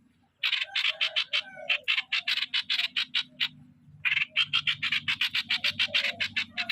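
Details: Streak-eared bulbul decoy bird: after a brief silence, two runs of rapid grating notes split by a short pause, with a faint mechanical hum underneath.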